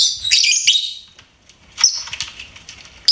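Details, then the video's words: A pet lovebird gives a dense burst of high squeaky chirps, falls quiet briefly, then resumes with sharper scattered tweets. "LOVEBIRD SINGING & CHIRPING SOUNDS"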